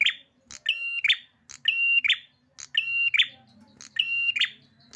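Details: Agitated prinia repeating a loud flat whistle that breaks into a scratchy buzzy note, punctuated by sharp high clicks, roughly once a second, with a soft low mechanical hum in the background.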